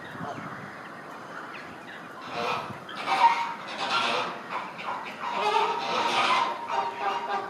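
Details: A displaying flock of Chilean flamingos moving in sync, with overlapping nasal honks rising into a busy, repeated chorus from the second second onward.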